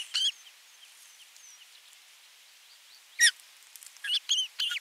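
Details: High, thin chirping from an Osprey nest on 27 June 2022 during a fish delivery, the adult watching the young being fed; isolated bright notes with a cluster of quicker calls near the end.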